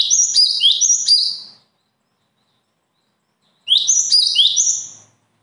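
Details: Songbird praised for natural talent delivers two rapid phrases of sharp, high stepped chirps, each about a second and a half long, with a quiet pause between.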